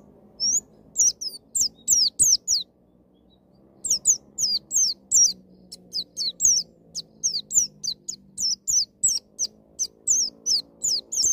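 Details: Wild-style "ngalas nembak" white-eye song, played to trigger a raw young bird to sing quickly: long series of shrill, high, twisting whistled notes in quick clusters, one brief pause early, then near-continuous delivery.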